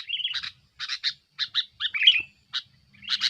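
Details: Sooty-headed bulbul's noisy song to pressure rivals, used as a lure: short chirp pairs and a bubbly, slurred whistled phrase in the middle, with brief gaps between bursts.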